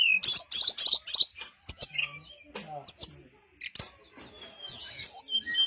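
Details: Lure song of a brown-chested jungle flycatcher, meant to draw replies from other birds: a dense cluster of high twittering chirps opens, then scattered sharp ticks and short notes, ending in thin, sliding whistled phrases.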